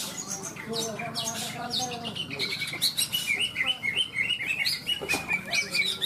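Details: Competition song of caged greater green leafbirds at a contest in Malinau, North Kalimantan. Rapid, varied whistled notes and chattering phrases pour out without pause. Low murmuring and a steady hum run beneath.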